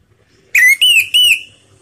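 Orange-headed thrush giving three loud, clear whistled notes in quick succession, the first rising and the next two level and slightly falling, over a quiet background.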